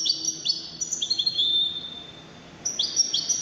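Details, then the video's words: Competing European goldfinch giving high, crisp twitters and drawn-out slurred notes, a short gap, then a fresh outburst of chirps. "مسابقة افضل تغاريد 5 حساسين ويدانية"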